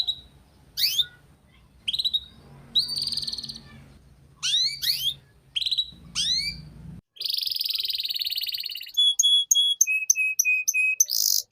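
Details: Canary song meant to coax young canaries into singing: scattered falling whistles over a low background hum, then a dense buzzy trill and a run of quick clipped high notes.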